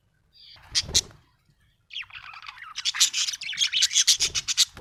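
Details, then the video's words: Chirping budgerigar, said to be happy, with two clicky notes early on, then a continuous chattering, scratchy warble of fast pulsed chirps filling the last three seconds. "Happy budgie chirping sound"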